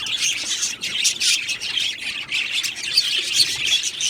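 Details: Australian budgies in an aviary colony chirp and squawk together, a dense stream of high, scratchy notes with small rising whistles breaking through the group chatter.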